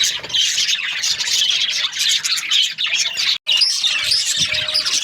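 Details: Budgies in breeding season warbling continuously, a dense wash of high chirps and squeaks, with one brief silent gap in the middle.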